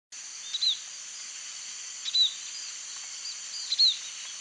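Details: White-headed munia (Lonchura maja) giving thin, high, slightly falling song notes about every one and a half seconds over a steady high insect hiss; kept bird said to be able to mimic canary song if trained.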